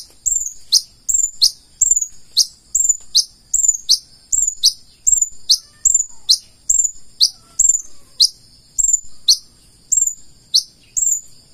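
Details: Purple-throated sunbird singing in lively fashion: thin, very high chirps, each a sharp note with a quick downward flick, repeated steadily about every half second with no other sounds.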